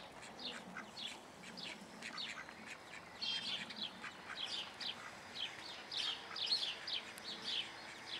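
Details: Call duck juveniles and chicks in a private Dutch collection give scattered high, sharp cheeps, often in quick pairs, against a faint low murmur and background hiss; a brief steady tone sounds near the end.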